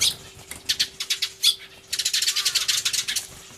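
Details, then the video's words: Excited sparrows, recorded 24 March 2013 on an Everio alongside a turtledove: scattered sharp chirps at first, then a fast run of evenly spaced squeaky notes about ten per second, with a steady background hum. "スズメの鳴き声（大騒ぎ！音量注意） Crying Sparrows"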